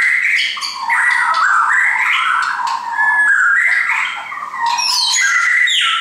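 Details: Caged shamas, several belonging to one keeper, sing varied whistled phrases that dip and rise, with a few piercing high downslurred notes toward the end.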